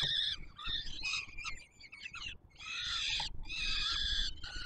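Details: Hungry peregrine falcon nestlings being fed by their father on the Palace of Culture and Science tower in Warsaw, Poland, July 7 2022: overlapping grating, screechy cries, choppy at first, then sustained loud bursts.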